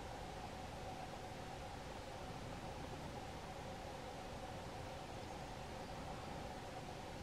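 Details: Steady broadband hiss with a faint constant low hum throughout, and no animal calls audible.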